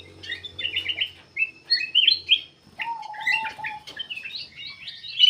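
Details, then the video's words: Black-capped bulbul song intended to lure other birds: stuttering clusters of bright chirps over a faint low drone, a drawn-out low whistle in the middle, then rising, high notes. "KUTILANG EMAS \ CUCAK EMAS GACOR FULL GACOR sangat bagus buat pancingan \ pikat"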